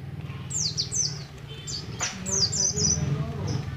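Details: Oriental white-eye, a young bird from Moga in Pemalang, Central Java, still learning ngalas ngeroll singing: short bursts of high, falling chirped notes over a steady low hum.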